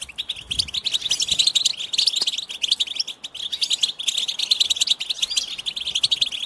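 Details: Goldfinch singing a fast, tinkling twitter of short bright notes, densely packed and high-pitched, running almost continuously with brief gaps.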